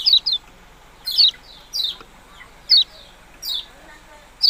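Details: Yellow-bellied prinia repeating piercing, high-pitched downslurred 'ciak' notes, occasionally paired, at intervals of about half a second to a second, over a quiet background.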